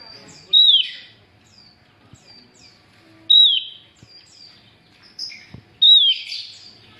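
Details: Javan grey-throated white-eye female giving calls meant to draw in males. Three loud falling whistles, each trailing into a short buzzy chatter, come about every two and a half seconds, with faint high chips and soft clicks between them.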